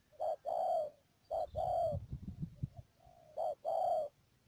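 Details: Decoy spotted dove used for trapping in Mương Điều, Đầm Dơi, Cà Mau, Vietnam, 12 March 2019: a short coo followed by a longer, slightly falling coo, given twice. Low rustling and knocking noises sound between the phrases.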